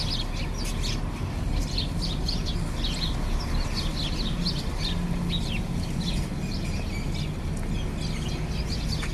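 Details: Several house sparrows feeding on rice in India, sweet quick chirps repeated irregularly and overlapping throughout, against strong steady low-pitched rumble.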